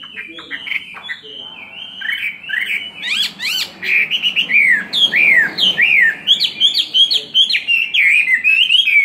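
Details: Caged Chinese hwamei, kept two years, in a fighting song with a spread display: varied whistles mixed with harsh, buzzy bursts, then steady repeated falling whistled notes, with a faint background hum.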